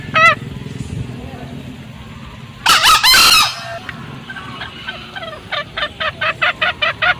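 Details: Green junglefowl pair, male and female, in a lure recording: one short note, a quiet gap, a loud harsh burst of calls, then a faster string of short cackling notes building at the end.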